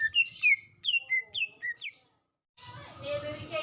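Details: Greater green leafbird female calling for a male, in breeding condition: a run of bright descending whistles, each sliding down in pitch, followed by a brief silence and then broad noisy chatter.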